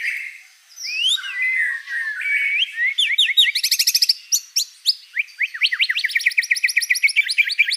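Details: White-rumped shama in gacor song with many fill-in phrases: slurred whistles lead into long, rapid series of sharp upslurred chirps and high trills.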